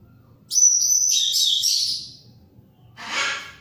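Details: An orange-headed thrush, used as a lure for birds that have stopped singing, gives a rich, high, tumbling phrase of about a second and a half with a thin sustained whistle, then a short harsh burst, over a faint low hum.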